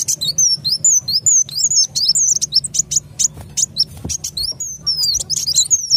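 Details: Sunbird sound used as a trapping lure: continuous lively high twittering of looping, downslurred chirps mixed with sharp clicks, about two notes a second, with a faint low hum behind.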